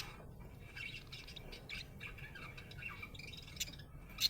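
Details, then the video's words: Soft, fairly faint budgerigar chatter from a happy bird: scratchy warbles and chirps with a sharp squeak at the very end, over low background noise. "Happy budgie chirping sound"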